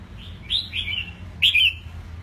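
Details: Young caged red-whiskered bulbul, eight months old and newly moulted, giving two bright, clear whistled phrases, the second louder and fuller; a soft hum continues behind.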